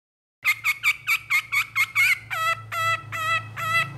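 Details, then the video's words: Long-tailed shrike sound meant to provoke lazy shrikes into singing: a series of harsh buzzy notes, about eight in quick succession, then several longer nasal rasping calls, with a low hum beneath. "PANCINGAN CENDET MALAS BUNYI BAKALAN LANGSUNG NYAUT DAN IKUT GACOR DENGAN SUARA CENDET INI"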